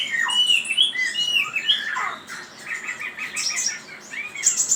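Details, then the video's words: Chinese hwamei song of slurred whistled notes followed by a rapid string of short repeated chips and a high note at the close. "Suara Burung Wambi ( Hwamei )"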